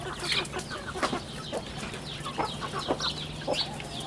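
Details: Chicks on a rural chicken farm: many high, thin peeping chirps that slide downward, overlapping in quick succession, with a few lower clucks and a steady low hum beneath.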